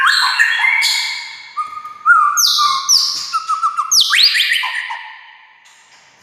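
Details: Rich, varied song of a white-rumped shama (murai batu), meant to stir silent shamas to sing: rapid whistled and chirping phrases, high sweeping notes and a quick rising flourish, fading out toward the end.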